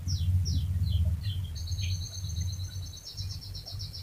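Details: Canary in full voice, played to coax other canaries into song: a few separate high down-slurred notes, then a fast, even rolling trill held to the end, with a low rumbling hum beneath.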